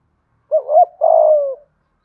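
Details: Part of a spotted dove decoy's calling phrase: a rising-falling soft coo run into a long purring coo that slopes downward, then silence.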